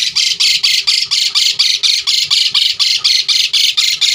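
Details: Asian pied starling in a fill-in sequence meant to set other starlings singing: harsh, raspy squawks repeated steadily about twice per second for the whole stretch.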